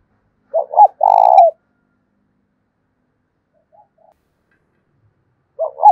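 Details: Decoy spotted dove cooing in the thổ đồng voice style to provoke a rival into fighting: two quick hollow notes, then a longer rolling, slightly vibrating coo that falls at the end, repeated after about five seconds of silence.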